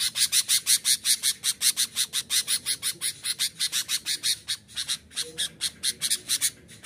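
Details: Rival-challenging sooty-headed bulbul, used as a tutor and to call wild birds: rapid harsh buzzy notes, nearly three per second, with a brief gap near the middle before the rhythm resumes.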